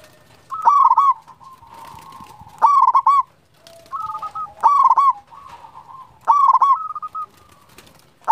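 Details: Local zebra dove, a champion-tempered, frequently singing bird, gives bursts of rapid stuttering coos with a warbled ending, about every two seconds, linked by softer trilled notes.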